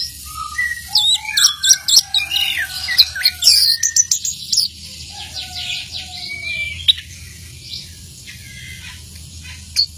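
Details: Orange-headed thrush, described as a 'teler' bird singing anywhere, delivering a varied run of whistled notes, squeaky chirps and short buzzy phrases, dense for the first five seconds then sparser, with a low steady hum underneath.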